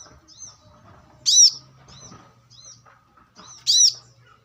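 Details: Brown-throated sunbird in the wild, recorded to lure and train birds: loud high squeaky chirps twice, about two and a half seconds apart, separated by several soft, thin, high twitters.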